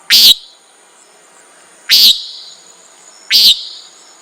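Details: Loud, close common nighthawk calls: three abrupt buzzy nasal notes, each a fraction of a second long, separated by roughly one and a half seconds of quiet apart from a faint high hum.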